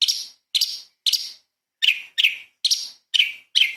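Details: Cucak cungkok (light-vented bulbul) in active song meant as a tutor recording for murai and kacer birds; eight abrupt chattering high notes come in uneven pairs and triplets across a quiet background.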